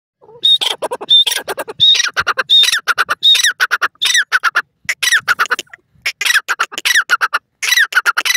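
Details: Pheasant calling in the wild: loud, harsh grating notes delivered in rapid bursts, several opening with a short clear whistled note, the squawking series running almost continuously with brief pauses between phrases.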